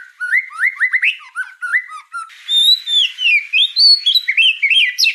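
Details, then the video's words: On this tutor recording for juvenile spotted shamas, a white-rumped shama delivers choppy upslurred whistles, then a sweeping high phrase and lively bouncing notes. "MASTERAN MURAI BATU TROTOL"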